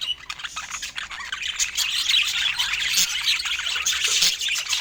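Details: Feeding budgerigars produce a steady warbling chatter. Quick high chirps and scratchy squawks overlap, about three notes a second, and the sound grows busier toward the end. A few low taps are also heard.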